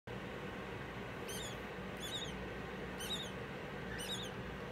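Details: Five-day-old rubino Bourke's parrot (Neopsephotus bourkii) chick begging while being fed: four short bursts of thin, high squeaky chirps, about one per second, over a steady low hiss.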